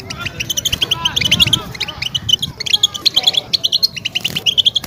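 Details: European goldfinch singing a mating song to stimulate a breeding-ready female; dense runs of quick tinkling notes and twitters, rhythmic and continuous, over soft low background noise.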